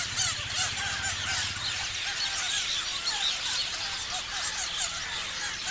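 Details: A flock of parrots keeps up a busy wall of shrill chirps and twittering notes, with a brief low rumble at the start and occasional sharper squeaks standing out.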